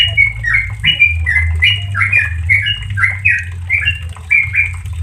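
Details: Trucukan in a relaxed ropel song, played to teach caged yellow-vented bulbuls: about fifteen quick, clear, bubbling notes strung tightly together, with a background hum.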